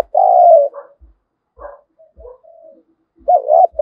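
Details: Spotted dove lure bird calling to provoke wild birds to fight: a long falling coo, scattered soft notes, then a short warbled coo pair at the end.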